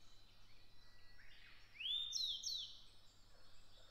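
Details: Grey bunting in Japan: one short phrase of clear whistled notes, a rising slur followed by three or four quick downslurred whistles over about a second, with faint calls of other birds in the background.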